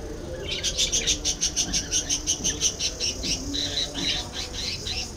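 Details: Budgerigars giving a quick run of bright, high chirps, about three per second, briefly sped up then breaking into looser twittering, over a steady pulsing insect-like buzz and low rumble.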